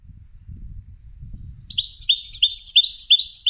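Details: European goldfinch trained for song competitions; after a low background murmur, a sudden, lively twitter of sharp, high chirps and short trills repeated at a brisk pace.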